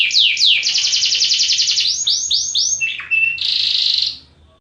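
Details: Canary pouring out a fast high trill followed by arched whistled notes, a brief dipping call, then a second short buzzy roll before falling quiet.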